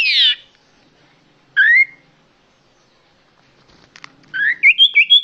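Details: Common iora lure call, clear and loud: one harsh falling note, a single short whistle after a pause, then a quick run of five or six bright whistles at the end.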